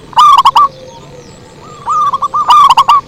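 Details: Lure song of zebra doves, a loud staccato run of clipped cooing notes, a pause with faint distant cooing, then softer rolling notes building into another loud bubbling phrase.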